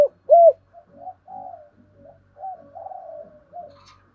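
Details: Decoy spotted dove cooing to provoke wild birds: one loud arched coo, then a run of soft, low, muffled cooing notes.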